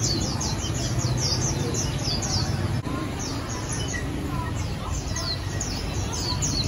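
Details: Caged white-eyes at a bird seller's shop in Hanoi, Vietnam, giving rapid, high, descending tsee-like chirps in busy overlapping bursts, with a constant low traffic hum and faint human voices underneath.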